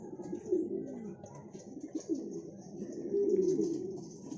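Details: Low, throaty coos from a Siraji fancy pigeon, given in short rising-then-falling bursts about every second, the strongest phrase near the end, over light background hiss.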